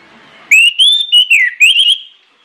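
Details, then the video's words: Lure song of an orange-headed thrush, meant to prompt other birds to join in. After a quiet start comes one rich phrase of clear whistles, gliding up, dipping and lifting again. "PANCINGAN ANIS MERAH NGEPLONG NGOTOT YANG LAIN AUTO NGIKUT"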